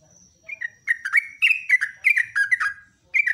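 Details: Energetic yellow-vented bulbul morning song, rapid-fire style, recorded as a tutor track: a thin high tone at the start, then rich fluty downward-sliding notes repeated rapidly.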